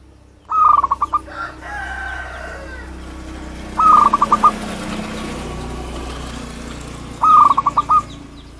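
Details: Local wild zebra dove calling as a bird lure: three short, rapid phrases of staccato coos roughly every three and a half seconds, set against a constant loud rumble resembling traffic.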